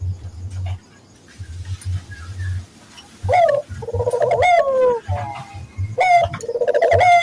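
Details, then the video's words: Barbary dove lure for training local doves to coo: after a quiet opening with low rumbling, a run of rolling coos begins, rising starts followed by sliding trilled notes, repeated through the second half. "pancingan burung puter gacor, melatih burung puter lokal agar cepat gacor"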